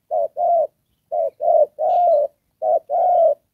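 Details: Trapping decoy spotted dove calling in the 'đồng pha' manner, with 'rước' and 'kèm': hoarse low coos grouped as short-long, then short-long-long, then short-long again.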